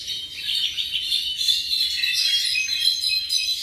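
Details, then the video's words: Tropical mockingbird around seven months old producing a continuous high, tinkling twitter of fast chirps and thin whistles without clear pauses. "Cenzontle tropical (mimus gilvus)"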